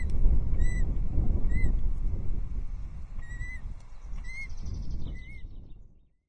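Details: Ospreys at a Loch Arkaig nest on 14 June 2024 during a fish handover and chick feeding: about six clear, separate down-slurred whistled notes, roughly one per second, over heavy wind rumble that fades at the end.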